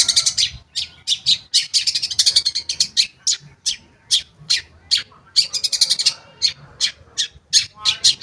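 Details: Long-tailed shrike song used as a lure to prompt shrikes that have stopped singing to start again: a dense, rapid run of chattering, scratchy high notes with short bursts repeated almost without pause.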